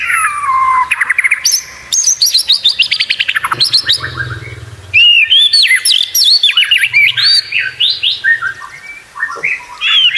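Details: Energetic white-rumped shama song of unusual sounds for training competition birds: a falling whistle, a long rapid ticking trill, then high, twisting whistled notes in quick succession.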